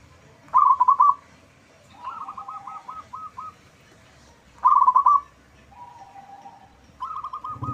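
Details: A loud local zebra dove sings as a lure for other birds to reply. Two sharp, rapidly pulsed coo phrases are separated by quieter, drawn-out stuttering coos that repeat like an answer.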